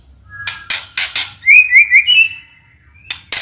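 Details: Lure song of a white-rumped shama, meant to provoke other birds into singing: four harsh raspy bursts, then three bright looping whistles and a level trailing whistle, ending with more harsh notes.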